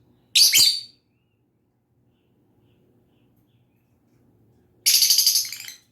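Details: Lovebird chirping: two sharp, harsh high-pitched chirps about four and a half seconds apart, the second a rapid stuttering burst; silence between them.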